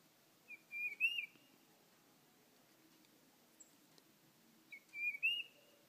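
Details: Tufted titmouse singing at a backyard bird feeder, recorded on an iPhone; two short whistled phrases about four seconds apart, each a few clear notes rising slightly, against quiet background.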